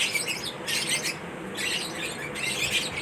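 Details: Lovebirds during a mating ritual: bursts of shrill, scratchy chirps and chatter, high-pitched and overlapping, arriving in uneven waves about once a second with short quieter gaps.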